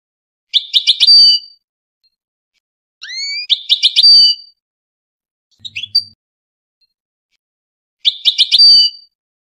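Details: Four bursts of Tunisian goldfinch song: lively twittered phrases of liquid, slightly buzzy notes, one opening with two rising slurred whistles, spaced a few seconds apart.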